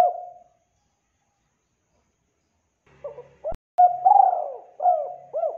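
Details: Spotted dove calling steadily as a trapping lure, in a clear, clean recording: one soft trailing coo, a pause, then a full phrase of short hollow notes swelling into a long rolling coo and two falling notes.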